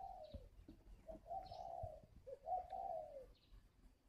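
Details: Wild-caught spotted dove kept as a caged bird in Ba Vì, Hanoi: a short note, then two long, warm rolling coos falling at the end, with faint higher chirps in the background.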